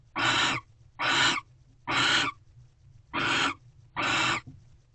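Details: Barn owl female feeding on a rodent gift from her mate in a nest box at Corral, 10:30 pm, 19 February 2023; five drawn-out, noisy hissing screeches, roughly one per second, with quiet gaps between.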